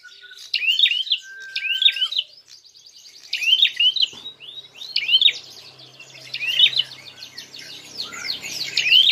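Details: Prinia fighting call, used as a lure to provoke other birds: sharp chirps sweeping up and down, repeated in quick bursts of two or three notes about every 1.5 seconds, with a fast buzzy rattle between some bursts.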